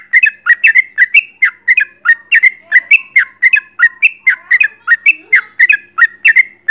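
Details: Sooty-headed bulbul in vigorous close-range song, loud bubbly whistled phrases repeated steadily about every third of a second without pause, each a quick slurred pair of notes.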